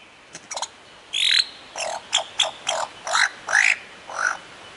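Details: Mimicking lyrebird of Australian woodland delivers a row of harsh, raspy notes, about eight rough bursts spaced under half a second apart, some with a whistled edge, after a few faint clicks.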